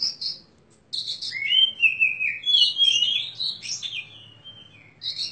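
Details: A contest-winning caged Oriental magpie-robin with crystal vocals and sharp, rich fill-in phrases sings clear, sliding whistles. A rising, warbled run builds to louder high notes, framed by short squeaky chips at the start and end.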